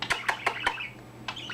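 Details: Young-voiced pet budgerigar chatting and bobbing its head; a quick series of four sharp clicky chirps, evenly spaced about every fifth of a second, then a softer scratchy trill.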